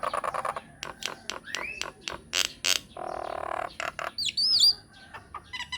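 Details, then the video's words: Lure recording of a myna used to make other mynas respond: clicks and sharp broadband snaps, a rising whistle, a drawn-out buzzy croaking note, then high twisting whistles. "PANCINGAN / MASTERAN SAKTI UNTUK SEMUA JENIS JALAK, JALAK APA SAJA AKAN NYAUT | MYNAH BIRD"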